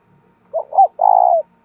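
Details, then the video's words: One cooing phrase of a decoy spotted dove calling wild doves in: two short arched notes, then a long steady trilled coo, with a faint low hum in the background. "Chim cu gáy mồi thúc và gáy gọi cực đỉnh"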